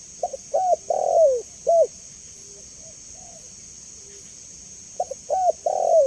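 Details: Spotted dove coo phrase, used as a lure and training call: short soft notes, a coo, a long sliding coo and a clipped coo, then a pause with faint low murmurs before the phrase starts again; constant high hiss.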